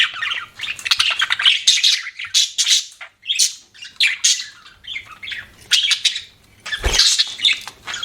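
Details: Budgie chirping in uneven bursts of harsh squawks and scratchy warbles, with short silences between phrases and one broad noisy burst near the end.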